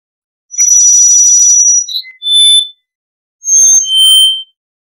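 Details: Black-faced Solitaire (Myadestes melanops) song: a bright, ringing, flute-like phrase of pure high whistles, then a pause and two more clear bell-like notes.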